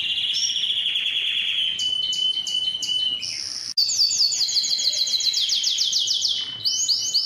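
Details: Canary song aimed at stimulating males to sing: a fast rattling trill, then spaced clicking notes, a brief break, and a loud run of rapid descending chirps ending in upswept whistles.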